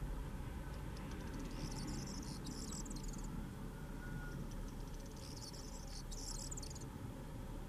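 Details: Corn bunting at Gáldar, Gran Canaria, January 2017, gives two dry, jangling rattles, like shaken keys, each about two seconds long, over a steady low rumble of wind or distant traffic.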